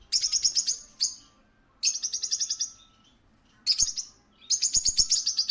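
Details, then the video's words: Pet-shop parakeet chattering in quick, high, buzzy pulsed phrases, four bursts each lasting about a second with brief silences between, over a faint steady hum. "A parakeet at a pet shop"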